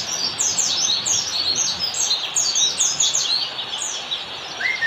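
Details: Master recording of an Oriental white-eye (pleci) in ngalas style to train kept birds: fast, bright, downward-sweeping chirps tumbling continuously, ending with a short rising whistle at a lower pitch.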